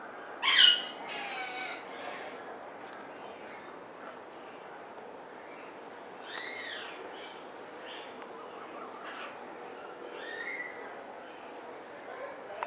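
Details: A breeding pair of military macaws at an aviary give a loud, harsh, raucous squawk near the start, then softer arched, rasping calls every few seconds over a hissy background.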